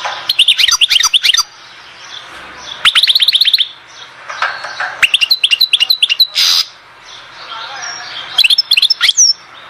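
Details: European goldfinch from Oued Zhour, Skikda, singing in separate phrases a few seconds apart. Each is a fast, tinkling run of sharp high notes, with a short buzzy burst in one phrase.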